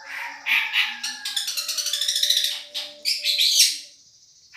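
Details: Madura long-tailed shrike, masteran tutoring recording of a champion singer: harsh bursts lead into a rapid stream of grating notes, ending in a high shrill squeal, with a faint steady low hum beneath.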